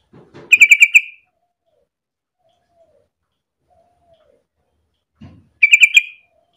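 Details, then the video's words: Lively trucuk, the sooty-headed bulbul, sung to coax other bulbuls into calling: a short chattering run of rapid, ringing notes, then about four seconds of silence and a second matching burst, each preceded by a soft low rustle. "pancingan trucuk gacor biar trucukan lain ikutan bunyi"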